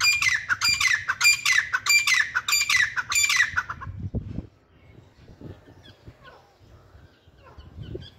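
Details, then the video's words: Grey francolin, locally called Billu or Dhakni teetar, giving a loud, harsh, rhythmic series of repeated notes about once every half second for four seconds, then stopping, leaving faint background rustles. "Gray Francolin Sound"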